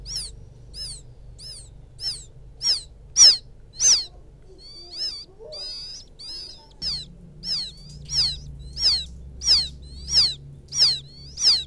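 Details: Calling for its mother, a young field quail gives piercing, downward-slurred peeps used as a lure. Around fifteen notes come roughly every two-thirds of a second, with a brief softer, warbling stretch in the middle.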